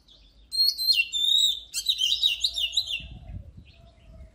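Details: Oriental magpie-robin singing energetically, a recording meant to stimulate birds' voices for contests: a bright burst of warbled, whistled phrases with sliding notes, followed by a faint low rumble near the end.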